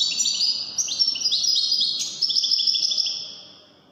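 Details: Goldfinch in Moroccan wedani song delivers a fast, high, liquid twitter of repeated chirps and short trills, continuous throughout before fading at the end.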